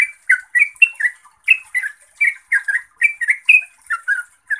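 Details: Yellow-vented bulbul in lively chattering song. Short bubbly notes fall and rise, about three per second, with brief gaps, in a quiet background.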